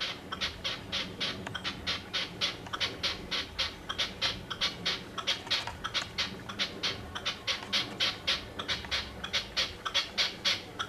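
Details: Red-legged partridge calling one evening from a house roof gives a harsh, chuffing chatter of rapid notes, about four a second in uneven bursts, over a faint low background hum.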